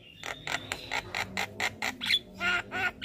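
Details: Javan myna morning song used to train caged birds, the singer nodding; a rapid string of harsh grating squawks about a third of a second apart, with a high whistle woven in.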